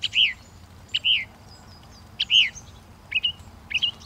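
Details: Northern mockingbird singing, one bright two-part whistled phrase with a sharp upslur then a falling note, repeated roughly every second, five times, over a soft quiet background.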